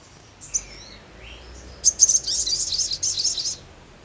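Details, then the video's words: Sogon singing: a few faint thin whistles, then a loud burst of very high, rapid buzzing chips running for about two seconds. "SEMUA SOGON AKAN IKUT NYAUT GACOR DENGAR SUARA SOGON SEPERTI INI"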